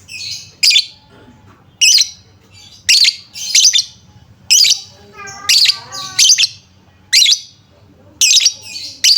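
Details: Lovebird chirping used as a lure to make quiet lovebirds sing and respond: loud, shrill, high squeaky notes repeated roughly once a second, with a brief lower rippling trill partway through.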